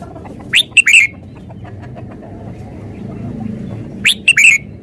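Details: Red-whiskered bulbul singing two matching short phrases about three seconds apart, each of three or four bright, bubbly whistled notes, over a low background rumble.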